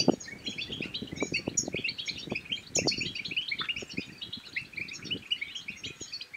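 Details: Goldfinch song played to encourage silent birds to sing and breed: rapid, jangling high twitters run without pause, over repeated low thumping and handling noises.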